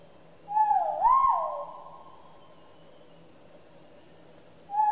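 A Great argus gives a loud, mournful whistled hoot that rises and then falls away, with the next call just starting at the end.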